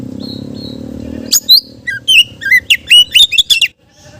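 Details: Oriental magpie-robin song used to draw in other magpie-robins: two faint level whistles, then a lively series of sharp, sweeping whistled notes, some dropping low, ending abruptly.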